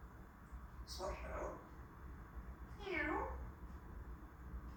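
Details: Pet African grey parrot indoors, asking for a head scratch, mimicking a cat with two drawn-out, wavering meows about two seconds apart over a low room hum.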